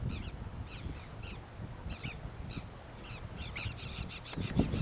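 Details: Dolphin gulls at the Rio Gallegos estuary, Santa Cruz, Argentina, during monitoring on 28 October 2021; short harsh downslurred calls repeated in quick bursts throughout, over steady low wind rumble.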